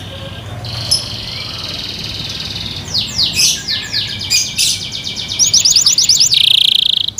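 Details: Over a background hiss, a Yorkshire canary kept by its owners begins with scratchy swept notes, builds into quicker chirps and ends in a bright rapid trill.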